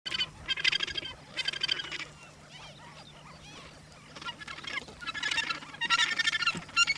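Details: Australasian gannets walking in New Zealand on 9 December 2013 give harsh, grating, rapidly pulsed calls in two loud bursts, with fainter chattering calls from other birds in the gaps.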